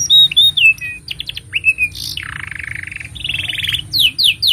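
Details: Canary song for training young canaries and stimulating silent birds: loud piping whistles, short slurred notes, then two long buzzy rattling trills and sharp descending chirps at the end, with low hum behind.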